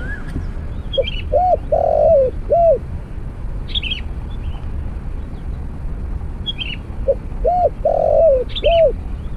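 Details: Two matching cooing phrases about six seconds apart from a spotted dove during trapping with a snare cage and decoy. Each has a brief lead note, arched coos and a long rolling middle note. Chirping birds and low rumble fill the background.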